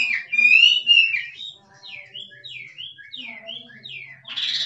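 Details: Wild Chinese hwamei, 'drumming' song: a loud wavering whistled phrase, then a series of downward-slurred whistles repeated about four per second, ending with a brief noisy burst.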